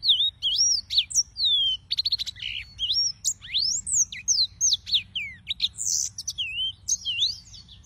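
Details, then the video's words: Yellow-fronted canaries, several birds, sing a rich rambling song of swooping whistles, short buzzy trills and sharp chips, high-pitched and continuous, with a quiet hum in the background. "Suara Burung - (Serinus Mozambicus) White-tipped Green Singers Singing"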